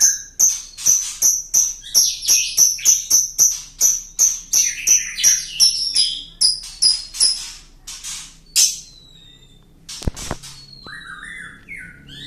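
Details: Lovebird long laughing song for luring: a rapid run of about twenty sharp, high, harsh chirps, slowing near the end, followed by a loud click and a few thin whistled sweeps.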